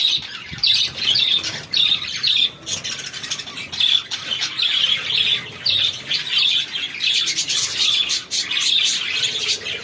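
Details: Feeding chicks keep up loud, high peeping for about ten seconds, with brief dips between bursts of overlapping chirps.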